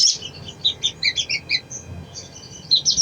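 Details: Sogon, lure song to make a bird sing: a sequence of clear, separate high chirps stepping up and down in pitch, then a fresh twittering burst at the end.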